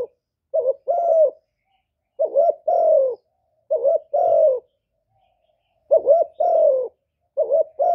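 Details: Decoy spotted dove cooing to attract wild birds to a trap site, recorded without noise. Five two-note coos, a wavering short note and a sustained sliding note, with a longer gap midway.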